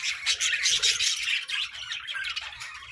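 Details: Several pet budgerigars in a colorful parakeet group chatter together, a dense overlapping stream of high chirps and warbles with scattered low knocks beneath.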